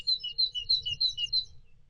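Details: A male great tit sings triumphantly outside the nest box, early morning during the female's egg laying: a bright see-saw phrase, high note alternating with lower, repeated rapidly about six times in under two seconds.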